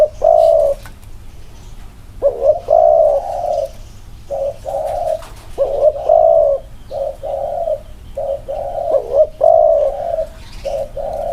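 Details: Spotted doves compared side by side in their inner-circle cooing. Rounded low coos repeat in uneven clusters, some with a gulping rise at the start. Quiet background hum and faint chirps are heard.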